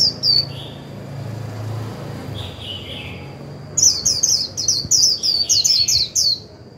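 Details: Decoy Japanese white-eye in 'líu' song meant to trigger wild birds: a short chirp, a quiet gap, then a rapid stream of high, slurred, descending twitters, about seven in quick succession, over a steady high-pitched hum.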